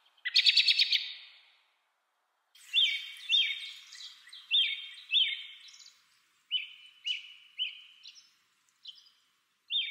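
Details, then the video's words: American robin calling in 8D sound, a harsh rattling burst followed by a steady series of short, clear whistled phrases repeated about once a second. "American Robin Calling"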